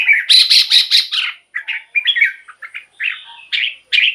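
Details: Caged red-whiskered bulbul singing, played as a decoy or to excite other caged birds: a fast run of bright, warbling chirps, then choppy, varied whistled notes with short gaps, clean and without background noise.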